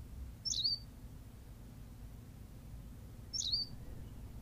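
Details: Berthelot's pipit from La Gomera in the Canary Islands: two thin, high chirped phrases, each a quick squeak sliding into a short buzzy tail, roughly three seconds apart, over low background rumble.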